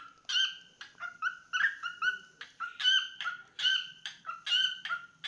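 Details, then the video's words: Pet cockatiel delivering a slower run of full, ringing whistled notes with strong overtones, some bending upward, spaced roughly every half second. "Adorable Cockatiel Milo's Cute Singing Moments"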